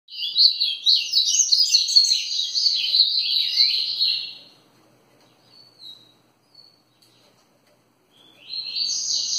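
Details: Double-collared seedeater singing the song style known as grego ferradura: a rapid, twittering high-pitched warble lasting about four seconds, a pause with faint notes, then the song resuming near the end.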